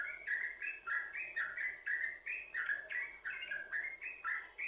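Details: Lure song of the yellow-vented bulbul, played to get other bulbuls singing: chattering, liquid notes in quick succession, each a short slurred upstroke or downstroke, forming a steady bubbling stream.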